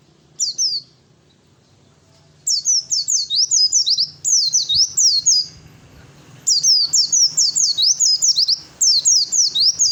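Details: Male Oriental white-eye, a fighter bird, delivering bursts of high, rapid, sharply downslurred whistled notes, with one brief opening phrase followed by three long volleys separated by pauses, sung to provoke other birds to answer.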